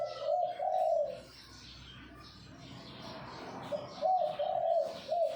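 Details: Bangkok-type perkutut, or zebra dove, singing its kuk 2x style: a soft, purring coo phrase opens, then a quiet gap of over two seconds, followed by a longer stuttering run of rolled coo notes.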